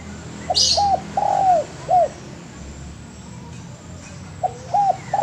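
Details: Spotted dove cooing for a training recording for cage birds: a phrase of short hooked coos and a longer drawn note, then a pause and another phrase starting, with a brief high chirp from another bird near the start.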